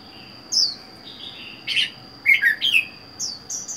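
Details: Red-whiskered bulbul caged alone after four months in captivity: scattered whistled notes, then a quick burst of rich warbled syllables and a few high whistles, with a faint continuous high tone.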